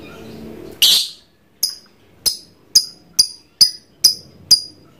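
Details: Lovebird, a trondol type kept as a pet, trained to call continuously: a loud harsh burst, then a fast series of eight sharp, high chirps with strong harmonics, spaced about half a second apart, in a quiet room.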